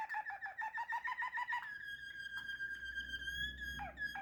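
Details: Domestic Waterslager canary: a fast pulsing roll of low notes, then a long, drawn-out, flute-like tone with a slight wavering, over a low background rumble.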